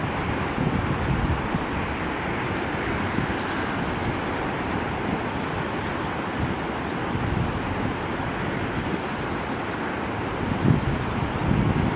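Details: Steady rumbling wind and surf-like noise fill the whole stretch, with no clear animal voice standing out.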